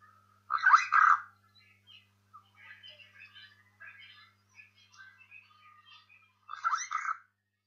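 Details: Close-range Burchell's starling giving two loud, rough, grating calls about six seconds apart, with quieter, scratchy twittering notes in between.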